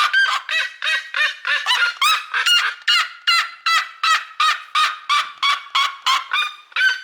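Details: Loud seriema screams, a steady run of strident, ringing yelps at roughly three per second, each note harsh and rich in overtones, with nothing else heard over them.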